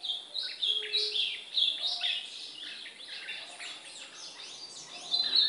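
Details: Brown ultramarine grosbeak training song, in a recording that also trains the white-throated seedeater. A varied warble of quick slurred and stepped notes, loud then softer, with short gaps between phrases and a quiet background.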